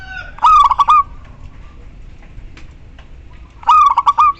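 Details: Local female zebra dove calling to a male, two bursts of about four rapid, rolling coos near one pitch with rich overtones, the first near the start and the second after a three-second pause, over a low background hum.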